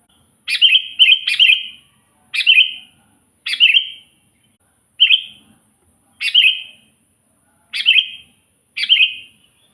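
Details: Lure song of a sooty-headed bulbul for attracting wild birds: a rapid pair of chirpy phrases, then six more short whistled phrases with a sharp onset and falling tail, spaced about a second apart.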